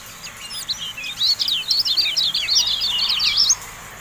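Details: Javan white-eye singing a dense, continuous run of fast, high, twittering and sweeping chirps that builds and stops abruptly. It comes from a tutoring recording meant to set caged birds singing.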